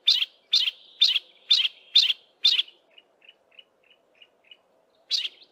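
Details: Lone yellow-breasted apalis giving part of the duetting call, unanswered by its mate, west of Grahamstown in thick woodland; six rapid loud chips roughly every half second, then a run of soft thin ticking notes and one more chip.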